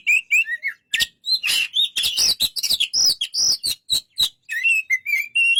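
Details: Continuous Oriental magpie-robin song, a dense stream of loud clipped notes and harsh chatters mixed with sliding whistles, ending in a run of lower rising whistles.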